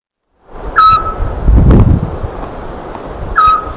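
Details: Eurasian scops owl giving two short, pure, steady whistled notes about two and a half seconds apart, over a low rumble of wind or handling noise.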